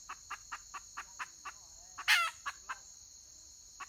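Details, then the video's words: Red junglefowl hen, dated 31 May 2023: a steady series of soft clucks roughly every quarter second, broken by one loud, coarse squawk, with a persistent high-pitched insect drone behind. "Suab poj qaib qus tsauj"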